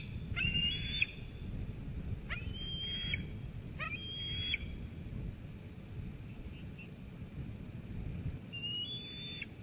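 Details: Eaglet at Sauces Canyon, 13 June 2021, squeeing at its mother after she brings food, until she leaves. Three thin high whistles early, each ending in a downward flick, then a quiet gap and one softer whistle, over rumbling background.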